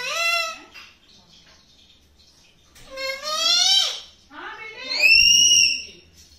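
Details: Talking parrot, a pet, producing a few loud harmonic calls: a falling squawk at the start, a longer wavering phrase mid-way, and a bright rising-falling whistle near the end, with quiet pauses between.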